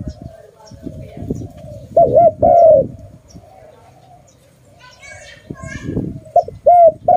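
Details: Very loud call of a pet dove: two phrases, each a quick wavering double note and then a falling coo, separated by stretches of low rumbling and handling noise.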